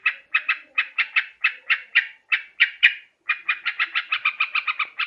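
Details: Sooty-headed bulbul, recorded in Borneo for luring birds: spaced, harsh double notes, then a short gap, then a faster, tighter run of chattering notes near the end.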